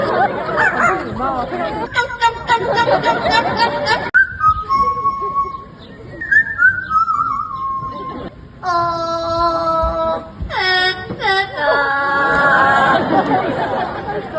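A parrot mimics speech, mixing word-like babble with clear whistled notes and a gliding whistle.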